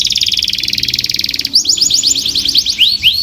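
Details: Canary delivering a fast, pulsing trill for about a second and a half, followed by quick, high, downward-sweeping chirps in rapid succession, the last few slower and fuller.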